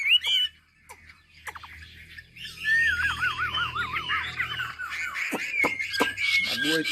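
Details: Chinese hwamei from Hà Giang giving a quavering, wavy whistled trill mixed with busy chattering notes, sharp taps, and a low background hum.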